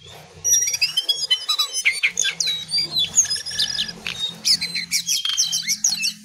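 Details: Lesser shortwing (cingcoang coklat) pouring out a rapid, varied song of twittering notes, slurred whistles and squeaky chips, with a faint low hum beneath.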